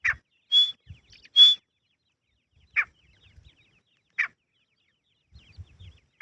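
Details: Grey francolin (teetar) in forest giving rough, buzzy single notes every one to two seconds. Two clear, flat high whistles come early, with faint low knocks between calls.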